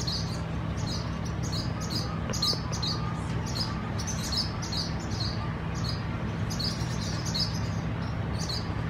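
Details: At a busy swallow nesting colony, high chirps and twitters come in repeated clusters of rapid notes from several birds throughout, with a loud steady low drone beneath.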